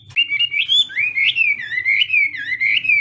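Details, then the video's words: Hwamei singing in a contest during morning voice training, pouring out a continuous, rich warble of gliding, wavering whistles that rise and fall without a break, with a faint low hum behind. "Hoạ Mi Hót Đấu /hoạ mi hót sáng luyện giọng kich bổi sổ giọng chim hót hay mỗi ngày/"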